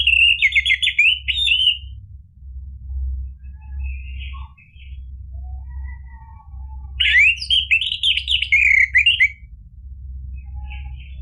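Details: Energetic orange-headed thrush song for provoking a silent bird into answering. Two sustained bursts of rapid, sweeping, zigzagging whistled phrases, with quiet intermittent chips between them.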